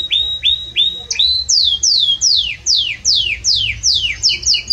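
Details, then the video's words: Strong, warm song of a Belgian canary: short whistled notes, then a run of loud downward-sweeping whistles repeated about twice per second, finishing with quick doubled notes. "Canto forte e muito quente deste Espetacular Canário Belga | Canary Singing"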